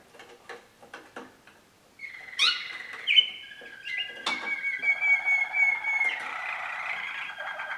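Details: Young 2013 Waterslager canaries: faint clicks and taps at first, then a burst of song with a rising whistle, long held pure tones and a low bubbling water-like roll underneath.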